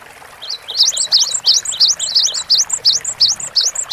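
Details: Cinereous tit delivering a continuous run of fast, high looping two-part whistles, about three per second, sung for long-duration tutor audio over soft hiss.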